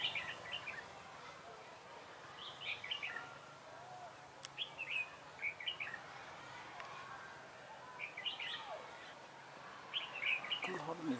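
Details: Red-whiskered bulbul singing as a trapping decoy on 3 November 2017, repeating short bubbly phrases of sweet chirps about every two seconds, with a soft click and light outdoor background noise.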